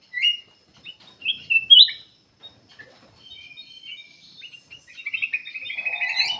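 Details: Black-capped bulbul in full song, played as a lure to get other birds singing; a few loud sweet whistled phrases, a quiet pause, then a fast buzzy trill with a lower murmuring undertone.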